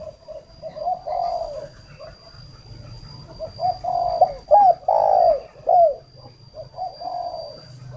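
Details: Spotted dove kept as a luring decoy near Ba Vì, Hanoi: gentle low coos lead into loud, throaty, downward-bending coos around the middle, followed by quieter trailing notes; a steady faint electronic whine stays in the background.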